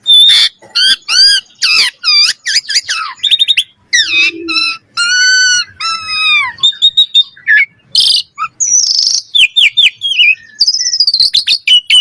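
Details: Common myna in a long, varied outpouring of gurgling, rising and falling whistles, clicks and harsh notes, delivered in quick succession with brief gaps.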